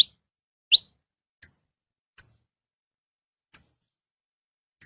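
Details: Wild saffron finches in nature give isolated high chip notes, one steeply rising whistle near the start, then single short chips every half second to a second in otherwise quiet surroundings.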